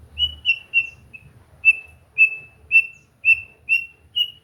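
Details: White-rumped shama singing in relaxed training material meant to get birds singing: short, clear, high whistled notes repeated about twice per second, each note much the same, with a brief low rumble at the start.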